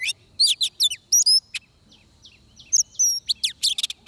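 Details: Oriental magpie-robin at a trap with a decoy, giving loud clear whistles and rising slurs in two bursts separated by a quiet gap of over a second.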